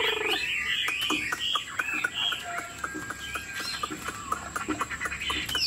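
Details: Chinese Hwamei in a cage, 90% pure, displaying its wings: brief looping whistles at the start, then softer scattered notes against a noisy background of clicks and knocks.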